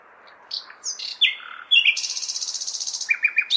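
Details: Common nightingale singing at night in May within a large town, as if calling females: varied sliding whistles and chirps, then a long, rapid, buzzy trill of about twenty even pulses, ending in repeated short downslurs over city hum.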